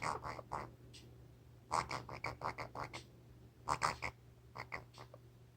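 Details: A pet Pionus parrot at night, making odd noises while holding food in its beak, gives harsh, raspy squawks in quick bunches of three to six, with short pauses between, over a steady low hum.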